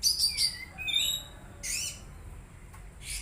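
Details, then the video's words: Oriental magpie-robin, a kept bird, giving a quick run of high chirps and short descending whistles, then a rising buzzy note and a final sharp chirp. "Terapi Kacer Bahan Agar Cepat Bunyi"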